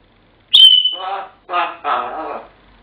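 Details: Pet African grey parrot indoors whistling Pop Goes the Weasel: one sharp high whistle sliding slightly down, then three bursts of lower, throaty, speech-like chatter.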